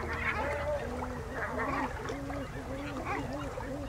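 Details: Great black-backed gull giving deep, hoarse, honking calls, short arched notes repeated irregularly at about one per second over a steady low rumble.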